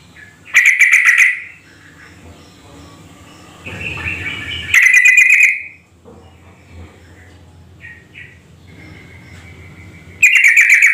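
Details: Yellow-vented bulbul (Pycnonotus goiavier) call used as a lure to prompt other bulbuls to answer: three loud, bubbly, chattering bursts about five seconds apart, with a faint thin whistle and low hum between.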